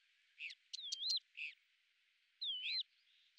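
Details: Lesser grey shrike in Azerbaijan, a hovering hunter: a few short scratchy notes and two clear, looping whistles, separated by a quiet gap.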